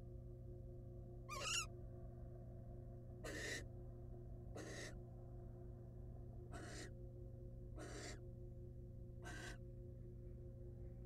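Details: Wild female barn owl in a monitored nest box, returning to her eggs after eating a mouse; six short, harsh breathy hisses spaced one to two seconds apart, the first with a raspier edge, over a steady low electrical hum.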